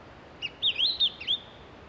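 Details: Japanese pygmy woodpecker chicks calling for food at their nest hole in the mountains of Nara, Japan, during May breeding; a brief cluster of loud, squeaky, up-and-down high chirps lasting under a second.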